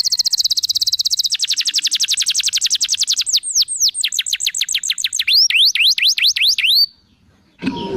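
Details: Canary in song, used to prompt other canaries: a long rapid high trill, then falling sweeps and looping whistled notes, ending in a short pause and a noisy burst.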